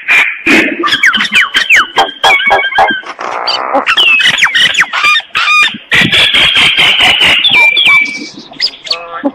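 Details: Dense chattering song of a common myna in the morning, packed with clicks, squeaky whistles and buzzy rasping notes in rapid succession.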